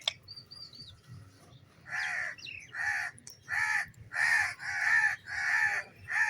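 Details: Harsh, raspy squawks from a green pet parrot playing with its owner, repeated roughly every second after a brief thin whistle, over a faint low indoor hum.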